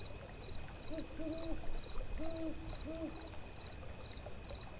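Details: An owl gives low, soft hoots, some doubled, about four in two seconds, at a small forest hot spring on a clear, cloudless full-moon night, over steady trickling water and a high, pulsing cricket chorus.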